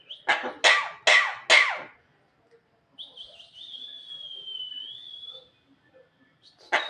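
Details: Female Javan myna making cough-like sounds: four harsh, rasping bursts in quick succession, then a pause and a long, thin, slightly wavering whistle, with another rough burst at the end.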